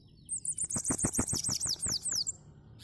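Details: Sibite singing a lot: a fast, high-pitched twittering run of thin sliding notes, dense and sibilant, lasting about two seconds, over soft lower clicking sounds.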